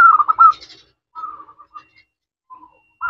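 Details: Local zebra dove singing to lure other doves into answering; a brief rolling trill of coos followed by softer, scattered short coo notes and quiet gaps.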